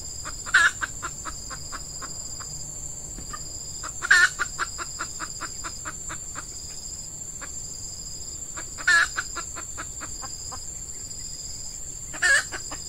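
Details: Red junglefowl heard while a hen decoy lures wild birds at a peat scrub site: four short, loud clucking bursts about four seconds apart, each trailed by rapid echoing pulses, over constant high insect drone.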